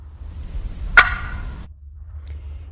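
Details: A New England wild turkey gives a single sharp, abrupt cluck, then falls quiet, with a soft click afterward over low background rumble.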